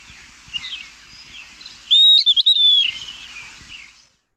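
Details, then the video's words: Puerto Rican Flycatcher from the San Juan Bay Estuary, Puerto Rico, gives one variation of its very loud call: a slurred whistled call of a few quick wavering high notes, with faint background chirps and low rumble. "The Puerto Rican flycatcher, we could hear here one of the variations of its call."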